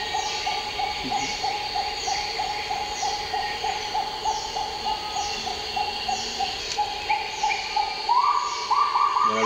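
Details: A kagu, an endemic bird of New Caledonia, calls at dawn in the humid forest of Rivière Bleue park. It gives the preliminary phrase, shared by males and females: a steady run of short hooting notes that grows louder.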